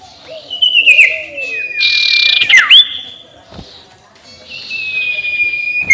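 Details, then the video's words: Spotted owlet ngekek call, a lure meant to anger rival birds: harsh grating screeches mixed with long, thin, level whistles and a sharp looping note, fading then returning as a raspy whistle. "SUARA NGEKEK SIRTU BIKIN LAWAN EMOSI"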